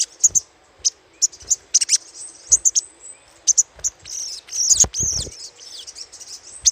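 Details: Little spiderhunter chattering, used as a lure: sharp, very high chips repeated irregularly, several close doublets, with a brief rising squeal near the end over a faint hiss.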